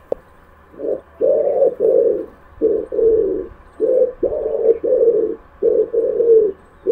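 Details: Pigeon cooing in low, soft, throaty phrases, each a short coo followed by a longer rolling one, repeated about every one and a half seconds over seven seconds; no other clear sounds.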